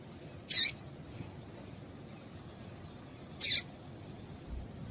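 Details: Calls of a female double-collared seedeater, used to get a male singing: two bright, high, buzzy chips about three seconds apart over a quiet background with a faint constant high tone.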